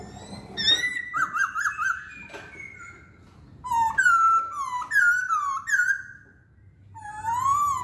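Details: Chinese hwamei in rich song: quick trilled whistles, a pause, then loud, melodious whistled phrases that rise and fall, and finally a long, slow upward-sweeping whistle.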